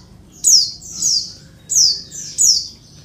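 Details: Female Oriental white-eye call meant to prompt males to answer: four sharp, high, downslurred chirps, paired with short gaps, clear over a faint low hum.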